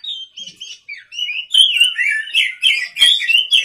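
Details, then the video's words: Oriental magpie-robin at night producing a rich, continuous warble of high, sliding whistles and scratchy chips, growing louder halfway through. "pancingan kacer gacor malam hari"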